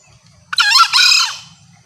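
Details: Lure call of a female green junglefowl, said to bring separated males straight in. A single strident, buzzy call splits into two quick sections with bending harmonic tones, then fades.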